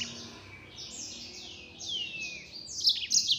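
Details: Yellow-fronted canary in chatty 'nembak' song, a continuous run of high sweeping notes and falling slurs that grows louder toward the end.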